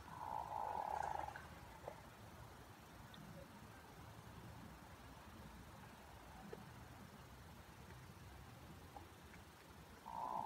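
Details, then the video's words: Hooded merganser giving its courtship-display call, a low, rolling, frog-like purr like a pickerel frog lasting about a second, repeated after a long pause, over a faint background rumble. "Hooded merganser duck call / sounds"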